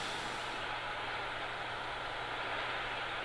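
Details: Loud hissing rush of a large vehicle's air brakes over a low engine hum, with no bird or other animal voice.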